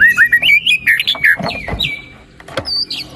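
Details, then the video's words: White-rumped shama song for stimulating a quiet bird to sing: quick sequence of looping whistled notes and squawky chips, fading into softer sparse calls. "PANCINGAN MURAI BATU GACOR ! BONGKAR ISIAN ! NAIKAN MURAI BATU MALAS BUNYI AGAR CEPAT GACOR !"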